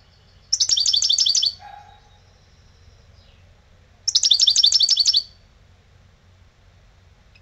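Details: Old European goldfinch singing in lebrijano style: two bursts of rapid, high, twittering trilled notes, each lasting about a second, separated by a quiet pause with a brief lower note, against a faint low hum.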